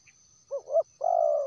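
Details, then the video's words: Wild spotted dove from West Sumatra, recorded as a lure for bird trapping. It gives a short hoarse double note, then one long, even, mellow coo that falls slightly at the end. The background is quiet. "SUAR PANCINGAN TERKUKUR LIAR"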